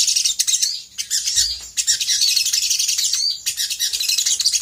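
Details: Lure song of a sooty-headed bulbul, gacor konslet style, meant to provoke other birds into replying: busy, bright twittering phrases broken by short gaps, with sharp clipped notes running between the bursts.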